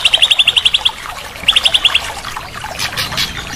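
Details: White-rumped shama training song used as therapy to get a silent bird singing again: a fast run of about ten sharp high notes, a pause, then a shorter run of five, followed by softer chattering.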